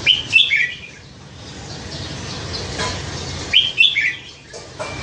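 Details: Red-whiskered bulbul kept in a cage for nine months after being found near a canal, known for singing many different phrases; two quick bright whistled bursts of three to four notes, three seconds apart, with low steady background noise.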